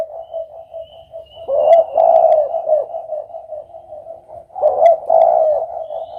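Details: Spotted dove cooing in low, mellow phrases: a loud rolling burst near two seconds and another near five seconds, with steady faint cooing between.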